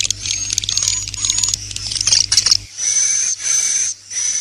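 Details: Swiftlet 'inap plus' lure sound: rapid irregular clicks and chirps for more than two seconds, then high, hissing, whistled bursts separated by brief silences.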